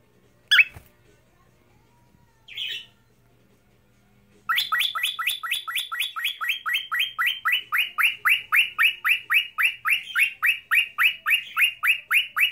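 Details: A male cockatiel whistles to himself at his reflection on the back of a laptop, giving a fast run of bright, downslurred whistled notes, about four each second.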